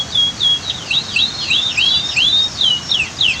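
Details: Canary song against waterfall roar: a lively run of high, looping whistles that twist up and down, delivered in quick succession with brief gaps.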